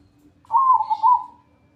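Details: Zebra dove training song, 'atas bawah' style: one rolled coo phrase with a brief break, then a final warbled note, heard against a faint steady background tone.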